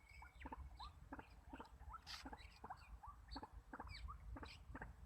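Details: Rhythmic upslurred calls from a White-breasted waterhen kept as a trapping decoy, about two notes a second, mixed with sharp clicks, a few high bird chirps and a low rumble.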